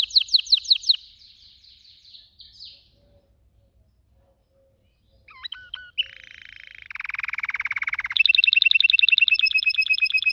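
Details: Singing canary: a short run of quick chirps, a pause, then varied phrases including a buzzy lower roll and a very fast high trill to the close.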